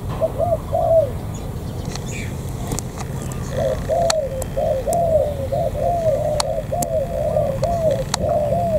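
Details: Wild-caught spotted dove from the An Giang border-gate area, Vietnam, cooing: a soft, low coo phrase, a pause, then a longer run of repeated rounded coos over steady background noise with occasional sharp clicks.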